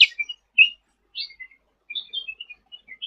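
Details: Sooty-headed bulbul in energetic song for tutoring other birds: a loud chirp, a fast twitter, then a run of short high notes at a steady, rapid pace.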